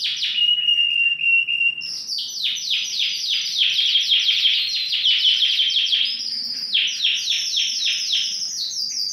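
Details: One of four big Romeo-coloured Yorkshire canaries, all healthy, sings a long, rapid rolling song of trills and sweeping notes, high and bright, with almost no background sound.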